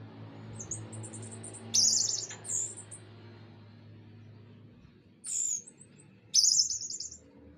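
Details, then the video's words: Orange-headed thrush from Indonesia, rocking as it sings: thin, very high buzzy trills and sharp squeaky phrases come in short bursts a few seconds apart over a steady low hum that fades out partway through. "Anis Merah digoyang"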